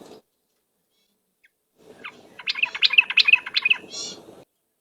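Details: Yellow-vented bulbul singing as a lure: after near silence, a lively burst of rhythmic bubbling notes about two seconds long, ending in a brief higher rasp.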